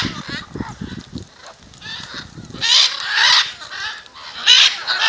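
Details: A gathering of macaws in front of a house in Jaumave, Tamaulipas, in February 2015 gives loud, harsh, raspy squawks in overlapping half-second bursts, after low thumping or rumbling.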